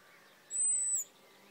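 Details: European robin perched on a fishing rod at Hampton Loade on 26 June 2013, calling for more maggots: one thin, very high whistle about half a second long, steady then dipping, over faint outdoor hiss.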